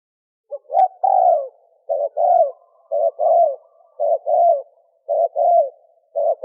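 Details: A cock spotted dove calls to attract hens, giving low mellow coos in paired notes, a clipped note then a drawn-out falling one, repeated roughly every second against silence.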